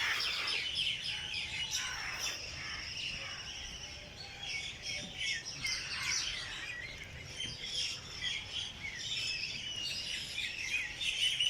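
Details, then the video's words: Early-morning birdsong in Jilani Park, Lahore, Pakistan: many birds chirping and twittering at once in a busy, high-pitched, overlapping chorus with quick tweets and short trills, steady throughout against faint background noise. "Birds sings in Jilani park Lahore early morning پریندوں کے پیارے گیت صبح کے وقت صحت بخشتے ہیں"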